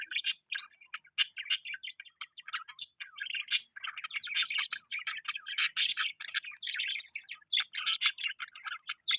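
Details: Softer budgie chirping: scattered sharp clicks and tweets building into denser warbling chatter toward the end, no other sounds heard.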